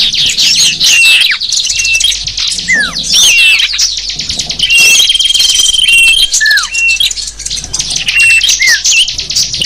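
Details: Small birds, used as a lure to attract wild small birds, chirp and twitter in a dense, high-pitched chorus of quick, overlapping notes, with bright whistled slurs falling in pitch every second or so.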